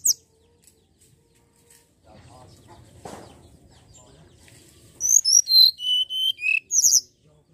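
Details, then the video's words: Common iora song played to coax birds into singing: after faint rustling and a soft thump, a phrase of about seven piercing whistles runs downward in pitch, ending with a sharp high note. "Pancingan bunyi burung tledekan gunung"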